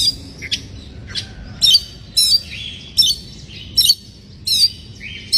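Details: Oriental magpie-robin in breeding condition singing to goad other birds: loud chirped bursts with bright downslurred whistles about every two thirds of a second, mixed with thin rising notes.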